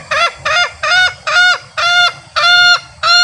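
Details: Male green junglefowl giving its ngekek call, used to lure wild junglefowl when hunting or to rouse captive birds to crow. A rapid run of seven short, hoarse, harmonic notes, about three per second.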